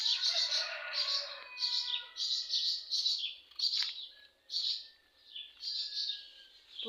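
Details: Swallows nesting at a house garden in the early morning twitter in quick, high chirpy bursts roughly every half second, with a few thin whistled notes beneath; young swallows are in flight training.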